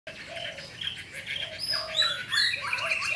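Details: White-browed fulvetta from Cần Thơ, Vietnam, singing in a fanned display: a rapid, varied stream of bright chirps and short whistled phrases, some rising, some falling, delivered almost continuously, with softer lower whistled notes underneath.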